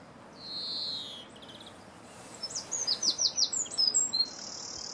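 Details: European greenfinch calling while feeding, footage from 2017: a drawn-out buzzy wheeze lasting nearly a second, then a quick series of about eight high twittering notes, ending in a sustained high buzzy note.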